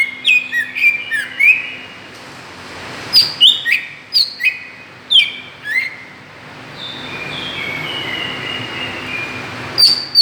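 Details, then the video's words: Greater green leafbird lure sound aimed at provoking other birds: bursts of quick whistled notes sliding down in pitch, separated by pauses, with a softer drawn-out whistled stretch later and one sharp note at the end. "suara pancingan cucak ijo"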